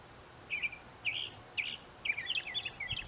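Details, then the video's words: Northern mockingbird singing in an apple tree: bright, burry chirped phrases about every half second, then a fast tumbling run of mixed notes, heard clearly over a quiet background. "Mockingbird song"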